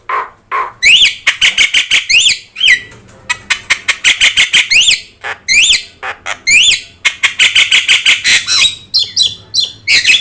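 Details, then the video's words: Yellow-eyed Javan myna in full song for tutoring other birds, delivering dense runs of harsh squawks and sharp clicks with repeated rising whistled notes woven through, almost without pause. "JALAK KEBO GACOR MATA KUNING | Untuk Masteran Kicau"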